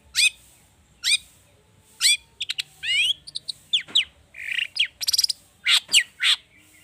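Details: Long-tailed shrike in an agitated, excited song rich in mimicked phrases, used to prompt other birds to sing: a run of harsh descending rasps about a second apart, then rapid buzzy bursts, chattering notes and sharp upward whistles.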